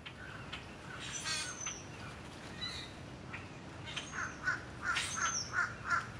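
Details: Red-shouldered hawk at its nest, April 7, 2016: harsh, clipped calls repeat about every half second, loudest near the end, with thin high whistles from other birds in the background.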